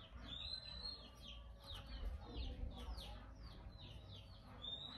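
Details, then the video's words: Male Oriental magpie-robin calling continuously to provoke other birds into singing: a quiet, rapid series of short, clear downslurred whistled notes, repeated several times a second, over a low background rumble. "Choè Than Trống Rít Khè Liên Tục Kích Chim Hót Căng Lửa"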